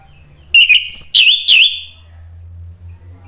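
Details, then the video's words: An orange-headed thrush gives a short challenging phrase meant to provoke rivals: three or four loud, wavering whistled notes with chirpy edges over about a second, followed by a low hum. "PANCINGAN ANIS MERAH NGEPLONG MEMANCING lawan jadi NYAUT BUNYI GACOR"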